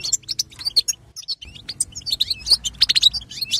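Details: European goldfinch singing to stir up other goldfinches, a fast liquid twitter of high chirps, trills and short whistled slurs, tumbling without pause over a soft low rumble.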